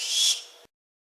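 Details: Barn owl giving a single harsh, breathy hissing screech, loudest near its start and fading out over about two-thirds of a second, then cut off into silence.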